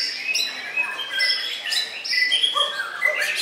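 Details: White-rumped shama at a Sidoarjo, Indonesia singing contest, where it placed second: a rich run of pure high whistles and short chirps stepping up and down, with other contestants overlapping.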